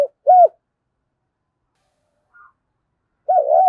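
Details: Brief spotted dove coos for stimulating a decoy bird: a single rounded low note, a long quiet gap with a faint chirp, then a wavering, rolling coo at the end.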